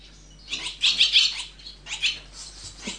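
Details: Swallow nestlings in the nest, giving two short bursts of rapid, high, scratchy chirping separated by a brief pause.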